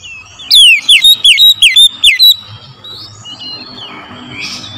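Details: Oriental magpie-robin singing in the morning: a loud run of six or seven sharp, downslurred whistled notes in quick succession over about two seconds, followed by quieter scratchy phrases and faint background hum.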